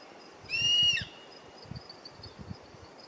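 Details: Juvenile Black-and-chestnut Eagle in Ecuador giving one shrill, whistled call about half a second long, slightly wavering and dropping sharply at the end, over quiet background with a few faint low thumps.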